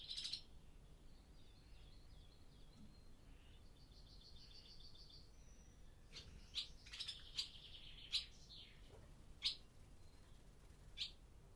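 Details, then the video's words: Old barn by day with barn swallows returned for breeding: an opening chirp, a soft buzzy rattling trill, then a lively burst of sharp chirps thinning to isolated calls every second or so. "Barn Swallow Sound Library"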